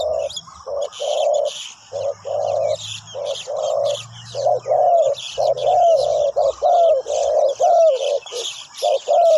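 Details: Decoy spotted dove at a ground trapping site calling wild doves: near-continuous low hoarse coos, phrases overlapping, about one per second, over steady high chirping from small birds and a faint low hum.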